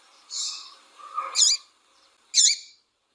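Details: Female double-collared seedeater calling and cheeping to excite a male into song; a soft lower rasping sound leads into two bright, sharp high chirps roughly a second apart.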